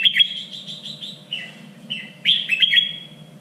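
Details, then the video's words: Red-whiskered bulbul contest-training song, standard three-region style: a rapid series of short bright whistles, brief slurred notes, then a loud accented whistled phrase with a trailing tone. "LUYỆN CHÀO MÀO ĐẤU || GIỌNG CHUẨN 3 MIỀN"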